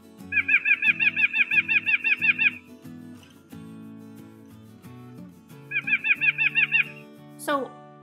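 White-breasted Nuthatch giving quick runs of nasal, evenly spaced notes, about three per second, in two bursts over soft background music.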